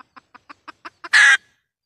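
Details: Red junglefowl hen lure call for trapping wild junglefowl: six soft evenly spaced clucks quickening into one loud, harsh, drawn-out squawk.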